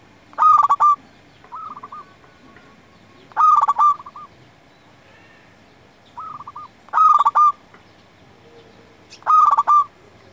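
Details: Local zebra dove in full song, used to lure and tutor other doves: loud rolling cooed phrases near the same pitch repeat about every three seconds, with quieter answering coos from a second dove between them.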